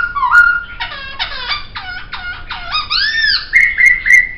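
A laughingthrush sings rich, fluty whistles: a clear opening note, then quick runs of falling, slurred notes that end in bright, steady higher whistles.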